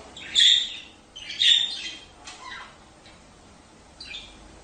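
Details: Budgerigar chirping to encourage mating: two loud, harsh chirps about a second apart, followed by softer, fading chatter notes.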